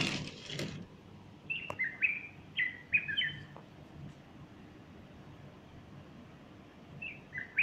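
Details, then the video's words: A bulbul sings on the morning of Sunday 30 August 2015 while a female stands beside it fluffing her feathers. After a short rough noise at the start, there are short clear whistled phrases with quick up-and-down slurs, then a pause and a last phrase. "البلبل يغرد صباح الأحد30أغسطس2015"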